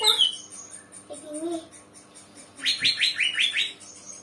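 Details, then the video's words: Young untrained Greater Green Leafbird (cucak ijo, kacika) beginning to sing, giving a high whistled note, a soft low warble, then a quick series of five rising chirps. "cucak ijo bahan kacika sudah mulai bunyi"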